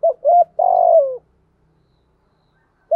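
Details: Spotted dove coo used as a lure: two short mellow notes lead into a long vibrating coo that falls in pitch. Silence follows until a new note begins at the end.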